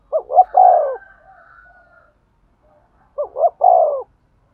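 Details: Spotted dove cooing to excite a male: two low three-part phrases, quick double notes then a long descending coo, with a faint higher wavering tone trailing after the first.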